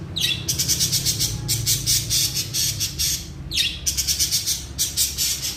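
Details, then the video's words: Long-tailed shrike in full song outdoors: each phrase opens with a sharp downward-slurred note, followed by dense, rasping, chattering bursts, in two phrases over a steady low hum. "cendet gacor jalan lapangan"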